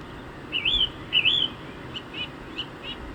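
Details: Song thrush from the wilds of Hampshire, England, giving two loud looping whistled notes that rise and fall, followed by a run of softer short repeated notes, against quiet countryside background noise.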